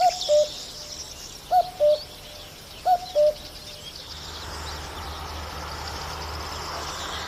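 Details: Common cuckoo singing: three clear two-note cu-coo phrases, the second note lower, spaced about a second and a half apart, then steady hiss and a faint high insect-like buzz in the background.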